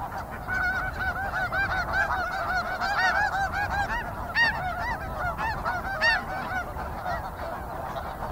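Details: Flock of snow geese calling busily: dense, continuous yelping honks overlapping one another, loud clear notes standing out every half second or so above the murmuring crowd.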